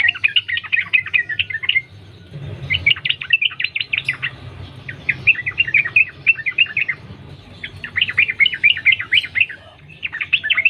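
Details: Wild Yellow-vented bulbul used as a lure to get other bulbuls singing; bursts of rapid bubbly, chattering notes in phrases of one to two seconds, separated by short pauses, with a low hum underneath.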